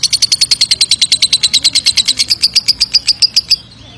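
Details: Lovebird giving a long 'ngekek' trill, used as a lure sound to provoke other lovebirds into answering: a rapid, even series of about thirty sharp, high chirps, roughly eight per second, running for three and a half seconds before stopping abruptly.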